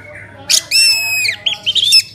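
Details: Orange-headed thrush singing to prompt other birds to sing: loud, harsh squawking notes with rich overtones, a long sliding note that bends down at the end, then several short high chirps, over a faint low hum.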